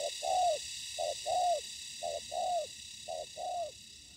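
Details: Trapping decoy spotted dove on the ground meeting combative wild birds: four clear coo pairs, a brief note then a longer downward-bending coo, spaced about a second apart, against a constant high hiss.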